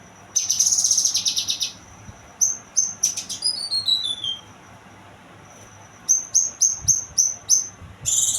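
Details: Young kinoy singing: rapid runs of high, ringing notes repeated several times a second, a descending series of thin whistles, then quiet, then another fast burst of sharp repeated notes.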